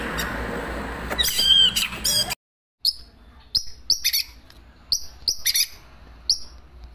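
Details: White-rumped shama (Murai Batu) singing vigorously. A loud whistled phrase rises over a noisy background, then comes a short silence, followed by a string of sharp, high, clipped chirps about every half second.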